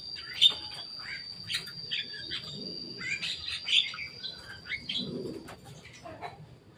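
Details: Javan myna that came to perch and play on top of a cage, giving a string of rasping, grating chirps at uneven intervals, with a constant high whine running behind and faint low murmur.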